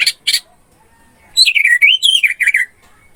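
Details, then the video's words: Orange-headed thrush song from a masteran tutor recording meant to restart a bird that has stopped singing: two short harsh notes, a pause, then a fast, sweet, warbled phrase that rises and falls, delivered rapidly in a quiet background. "MP 3 MASTERAN ANIS MERAH MACET BUNYI"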